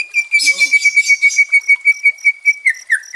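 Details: White-rumped shama song aimed at calming a stressed caged bird: a steady series of about sixteen short whistled notes on one pitch, ending with falling slurs.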